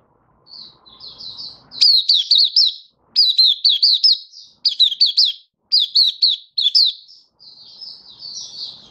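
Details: Singing Malaysian white-eye recorded in Singapore during stable, warm, sunny weather on 20 March 2023; a faint high warble swells into loud bursts of sharp, rapid chirping notes, then fades back to soft twittering.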